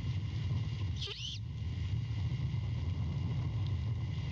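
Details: Great horned owlet at a nest at night as its mother returns with a rat after five hours away; one rising-falling raspy screech, then steady low rumbling background noise.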